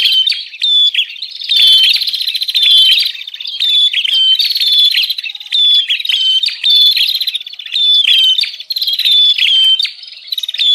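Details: Noisy bar-winged prinia call used as a lure for wild birds: nearly unbroken series of scratchy, quick-pulsed buzzy phrases, repeated roughly every second, high and shrill, with crisp clicking notes mixed in.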